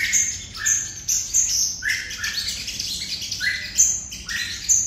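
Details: Red-whiskered bulbul from Đồng Nai, Vietnam, singing in the 'hút mật' style: sharp high chirps and short upslurred notes in clusters, about every second, fairly clean background.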